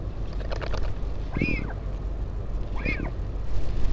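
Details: Northern royal albatross at the Taiaroa Head colony near Dunedin, New Zealand, during a parent visit on 16 July 2019. It gives two short, nasal, braying calls about a second and a half apart, over steady wind rumble.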